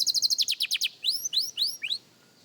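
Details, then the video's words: Young canary practising its song: a fast series of about a dozen bright, evenly spaced high notes, then four quick rising whistled sweeps, each clear and sharp, with a quiet background. "Young Canary Singing Practice – Surprisingly Good for a Beginner!"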